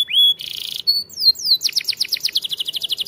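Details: Canary song in champion style for training young canaries: a rising whistle, a buzzy burst, slurred descending whistles, then a fast accelerating series of bright repeated notes.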